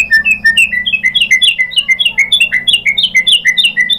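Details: White-rumped shama singing to prompt other birds to respond: a steady, rapid stream of short rising whistled notes, about three per second, in shifting pitch steps.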